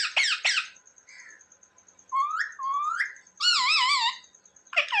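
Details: Talking pet parrot; sharp chirps, two rising whistled slurs, then a wobbling trilled whistle, ending in another short burst, with a faint steady high tone behind.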